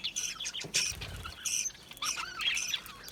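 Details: Small Australian parrots, budgies, in an aviary give fast chattering chirps and squawks, with a short run of rising and falling warbled notes toward the end.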